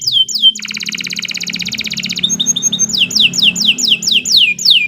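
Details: Canary in full song, recorded for bird training: high sweeps, a long buzzy rattle, short chips, then repeated downward-slurred whistles about three per second, with a low hum underneath.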